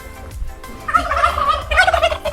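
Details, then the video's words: Turkey in a farm animal area with chickens, geese and peacocks in Tenerife, Canary Islands, in winter: two rapid, rattling gobbles, each a fast burst of warbling notes under a second, over a low hum. "There are chickens, there are geese, there are turkeys as you can hear, and there are also peacocks."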